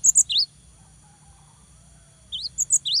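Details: Cinereous tit, 'gacor' singer used to provoke rivals: three high sharp notes at the start, silence for about two seconds, then four more bright upslurred whistles, with faint low background hum.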